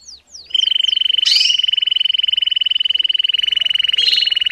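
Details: Canary song for training young birds: a few quick falling whistles open into a long, very fast, even trill held at one pitch, with brief sharp chirps cutting in twice.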